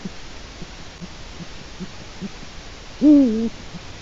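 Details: Latvian webcam, 4 March 2018, 16:06, Eurasian eagle-owl: a single strong half-second call that rises sharply and then droops, preceded by faint low rhythmic pulses over a hissy background.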